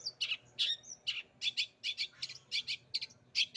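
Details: Long-tailed shrike (cendet) imitating a canary: a series of short bright chirps and trills, repeated about every half second, with a steady faint low hum beneath.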